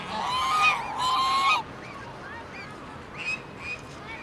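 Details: Angry geese yell and scream, and a male goose goes wild: two loud, drawn-out, harsh honks fill the first second and a half, followed by several fainter, shorter, nasal honks from other birds.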